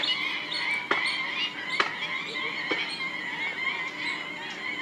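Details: Massed black-winged stilts at Gathera bird sanctuary in Gujarat, India, a wetland with thousands of migratory birds; constant babble of nasal kek-like notes, several callers overlapping, a few louder clicks standing out.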